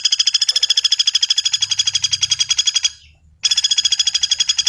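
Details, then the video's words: A common flameback rattles in a fast stream of harsh notes, pauses for half a second, then starts the trill again. "SUARA BURUNG PELATUK BAWANG"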